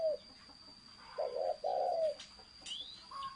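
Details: A brief run of spotted dove thổ sấm coos: two hollow, throaty notes, the second longer and falling away. A constant high whine runs underneath, and a short rising chirp follows.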